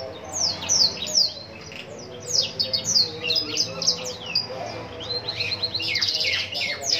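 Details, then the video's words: A Black-throated canary from Lumajang in full song gives a fast, unbroken twittering run of high, sweeping, downward-slurred notes with bright trills, over a faint low hum. "burung blackthroat gacor"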